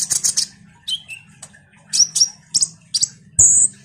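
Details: Common iora in lively chattering form, used as a lure to make sunbirds respond: bursts of high, sharp chirps and short whistled slurs, some sliding down, separated by brief pauses, over a faint low hum.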